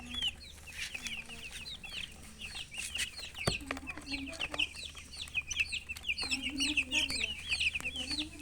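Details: Chicken chirping: dense, rapid high peeps from several chicks, with intermittent low clucks and occasional knocks.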